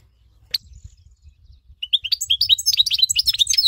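A goldfinch mule sings a fast, bright twittering run of high tinkling notes.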